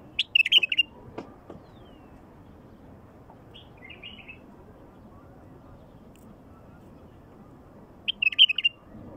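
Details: Wild bulbul song, played to attract wild bulbuls: a lively warbled burst at the start, a soft, faint phrase near four seconds, and another bright run of chirping notes near the end.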